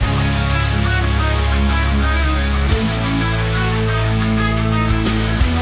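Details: Loud rock music with electric guitar and heavy bass plays throughout, with no animal sound standing out.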